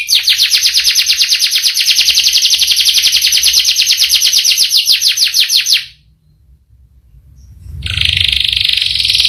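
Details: Canary rolling a long, rapid high trill for nearly six seconds, then a brief silence before another dense trill begins.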